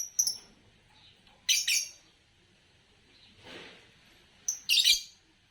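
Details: Harsh, high-pitched chirps from a green Fischer's lovebird: a short thin opening call, a doubled scratchy burst, a faint hiss, then another doubled raspy chirp.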